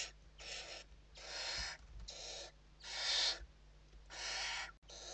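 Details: During evening feeding in a Spanish nest on 29 November 2023, Western barn owls give rapid harsh hissing screeches, several per second-long stretch, loud and breathy, with a soft whistle inside one burst.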